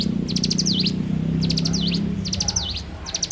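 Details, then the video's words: Bar-winged prinia in full morning song, high ticking phrases with a falling-rising slur repeated several times, set against a prominent low droning hum. "suara alam cigun gacor dipagi hari"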